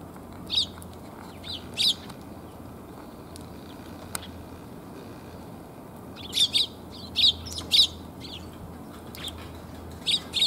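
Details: Eurasian tree sparrows gathering for food, 1 January 2022, heading home: scattered single chirps early, then a lively run of bright chirps in quick succession, more notes near the end, with a low hum underneath.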